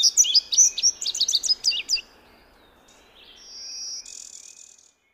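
Indigo Bunting giving a quick series of high, sweet notes over about two seconds, followed by a faint buzzy insect-like trill.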